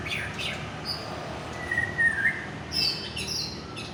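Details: White-rumped shama of the Aceh type, a fighter bird said to be in peak form, giving a few clear whistled notes, a long level whistle mid-clip, then brighter high phrases near the end over steady low background hiss.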